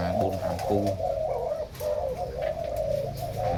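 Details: Flock of caged zebra doves, many pairs housed in a big enclosure indoors, producing an unbroken mass of overlapping rolling coos that swell and dip in short bursts, with a man's voice murmuring underneath.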